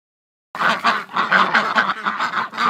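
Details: Female Rouen duck courting her owner as the ducks are let out of the barn; after a half-second pause, a rapid run of short, nasal, raspy quacks follows, about four or five each second, continuing without a break.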